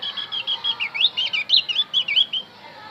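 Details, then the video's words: Javan grey-throated white-eye singing a bird-luring song: a fast, even series of about a dozen high, clear whistled notes, each bending up and down, then stopping abruptly. "opior Jawa pasti nyaut pancing dengan Opior Jawa ini"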